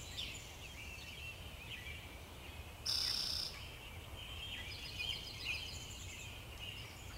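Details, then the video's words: Pine siskin calls: high, thin twittering chirps run together, with a louder buzzy note midway, over a steady low rumble of background noise. "pine siskin"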